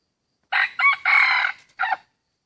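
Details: Hybrid wild junglefowl cock in a rubber plantation answering a decoy rooster: hoarse crow of two short opening notes, a long strained middle note, a pause, then a clipped final note.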